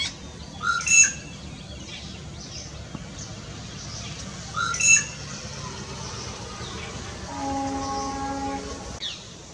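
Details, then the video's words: Bird calling its mate in the spring pairing season: two short, sharp, high-pitched call bursts about four seconds apart over a steady background hum, with a faint low tone near the end. "ये चिड़िया 3 प्रकार की आवाज देकर अपने प्रेमी को बुला रही है।"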